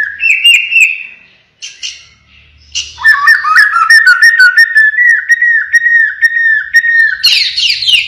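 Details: White-rumped shama of the pied 'blorok' variety, singing actively with 'siren shot' phrases: rising whistles, a brief pause, then a long run of rapid, bubbling whistled notes near one pitch, ending in sharp high notes.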